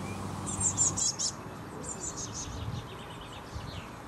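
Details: A Eurasian blue tit fledgling waiting in a bush for food gives very high, thin, rapid chirps in a run of about a dozen that fade toward the end, over a low background rumble.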